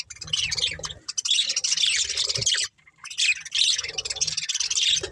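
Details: Paired budgerigars pour out high buzzy warbling chirps in two long runs separated by a short silence, with low soft thuds beneath.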